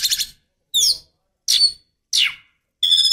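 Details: Oriental magpie-robin hen calling to provoke a male: five harsh, buzzy, scratchy notes delivered roughly twice a second, some rising and some sweeping downward.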